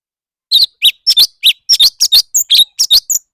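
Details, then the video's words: Fighting-style song of a leafbird: steady, rapid high chirps and short slurred whistles, about fourteen notes in under three seconds, varied in shape and clean against a quiet background. "Noog kaus tsawb ntsuab quaj//thanh tước hót đấu"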